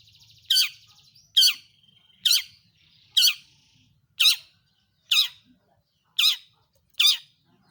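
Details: Long-tailed shrike lure call for making other shrikes sing: eight loud harsh downward-sweeping notes spaced about a second apart, preceded by a brief soft chatter and a steady whistle.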